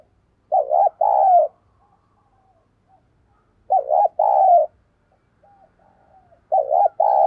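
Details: Cooing decoy spotted dove calling to lure wild doves: three repeated low coo phrases about three seconds apart, each pairing a short wavering note with a drawn-out throaty coo, and faint murmurs between them.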